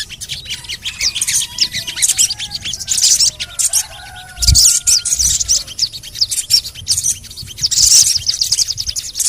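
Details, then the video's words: Crimson sunbird (sogon) in playback meant to stir silent birds into calling. Thin, high twittering bursts and rattling trills repeat about every three seconds, with faint lower whistled tones in between. "TERAPI SOGON MALAS BUNYI❗PAKE AUDIO INI DIJAMIN BURUNG SOGON MANAPUN PASTI IKUT BUNYI GACOR NGLEPER"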